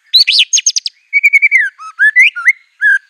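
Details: Singing white-rumped shama, fierce and showy, its repertoire drawing on canary, cililin, cungkok and ciblek; a quick burst of sharp trilled notes gives way to a chain of clear whistled slurs, some rising, some falling.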